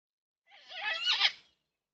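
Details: Yellow-tailed black cockatoo, one of four visiting a backyard bird feeder in NSW, Australia, recorded by a security camera: a single harsh, wavering wail lasting about a second, swelling louder toward its end, with nothing else audible.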